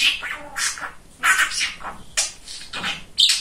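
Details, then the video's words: Male pet budgerigar known for chattering, producing speech-like sounds. Separate hoarse, breathy phrases with a squeaky high note at the end, spaced by short silences indoors. "Самый Болтливый Попугайчик"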